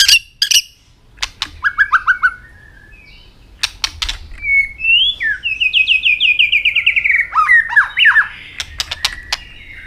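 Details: Singing Asian robin: crisp clicks and short chirps lead into varied whistled phrases, including a long descending run of quick notes, then more swooping whistles.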